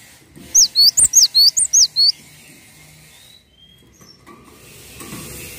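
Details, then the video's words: Cinereous tit (gelatik watu) singing steadily for a tutor recording: a quick burst of about seven bright, high, sharply inflected whistles in under two seconds, followed by faint thin whistles and low background noise. "MASTERAN BURUNG GELATIK WATU GACOR"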